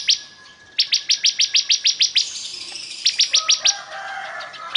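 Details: Energetic bar-winged prinia song: a long, even series of piercing high chirps at a rapid steady beat, a brief gap with a thin whistle, then a shorter run of similar notes.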